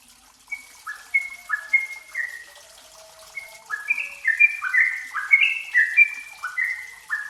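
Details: Yellow-vented bulbul lure for an untrained bird: a few clear whistled notes open, then the song quickens into a busy run of gurgling, descending phrases.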